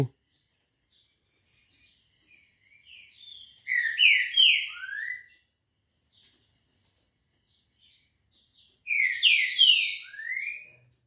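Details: A green-winged saltator sings at 6:30 in the morning on Monday 18/10: two loud phrases of rich, slurred whistles, each lasting about two seconds, with a quiet gap of several seconds between them.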